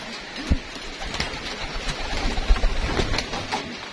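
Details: Homing pigeons kept for racing, heard during their feeding routine. Soft, low coos sound beneath busy tapping and clattering noises.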